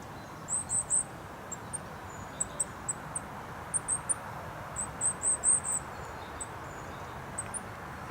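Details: Goldcrest singing from bushes at Rooksbury Mill Local Nature Reserve on 3 December 2017, an overcast day. Short clusters of tiny, high-pitched, chirpy notes come in three bursts with isolated squeaks between them, all against constant A303 road noise.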